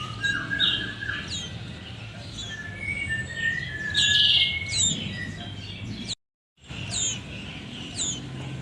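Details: Sooty-headed bulbul nestlings calling: thin, high chirps and short downslurred whistles in irregular bursts, with a louder squeaky cluster midway and a brief silent gap; low rumbling background noise throughout.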